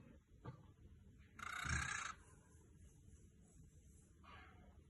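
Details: Cockatiel snoring; a soft breathy hiss with a faint thin whistle swells for about a second, with quieter, shorter breaths before and after in a quiet indoor setting.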